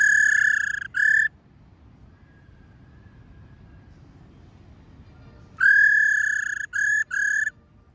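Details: Female laughingthrush calling 'rò' to rouse males: a long nasal, reedy level note and a short one, several seconds of quiet hiss, then a long note followed by two short clipped notes.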